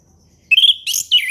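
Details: Brief burst of orange-headed thrush ngeplong song from the forest, used to tutor young birds: a steady whistled note followed by a harsher, rich phrase and a downward-sliding whistle.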